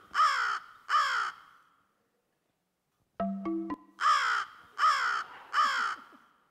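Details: American crow (Corvus brachyrhynchos) giving five harsh, hoarse caws, a pair and then a run of three after a pause, with a brief chime of mallet-like tones in between.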